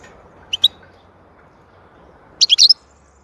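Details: A goldfinch gives two thin single chirps, then after a pause a brief, clustered burst of bright high twittering notes over soft background hiss.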